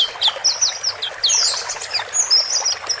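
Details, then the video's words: Male and female white-eyes chirping to settle a new cage bird, bought from a shared cage, into its own cage; a few high, slurred notes and short twittered phrases. "Pancingan Relaksasi Pleci Supaya Cepat Adaptasi Di Sangkar Baru"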